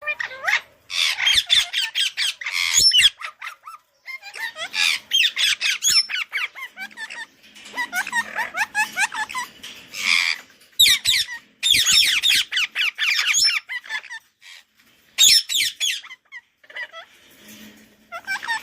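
A budgerigar chatters in fast bursts of high, scratchy chirps and squeaky warbles.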